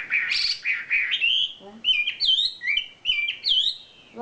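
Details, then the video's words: Singing champion wambi: bright, high chirped and whistled phrases that slide between notes in quick succession, with short pauses. A brief human exclamation is heard faintly. "SUARA KICAU ISIAN BURUNG WAMBI JUARA"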